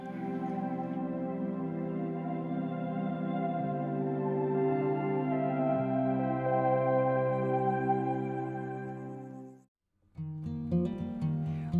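Sustained ambient organ-like music with layered harmonic tones, a brief silence near the end, then the music resumes; no animal sound.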